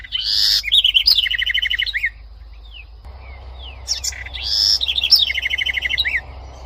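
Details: House wren singing two bright phrases about three seconds apart, each opening with high buzzy notes, then a rapid run of repeated chattering notes that steps downward and ends abruptly; low background hum between phrases.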